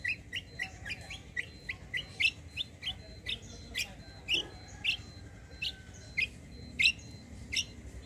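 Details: White-eye (kecial) used as a lure to make other birds answer: short, sharp high chirps repeated about every half second, with a thin steady tone and faint background noise.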